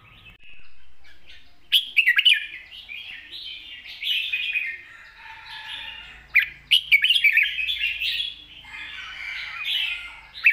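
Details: Long, light-voiced song of a red-whiskered bulbul, wild-style phrasing with 'rik' notes: flowing, rising and falling warbled whistles, broken by sharp chirped accents, continuing nearly without pause.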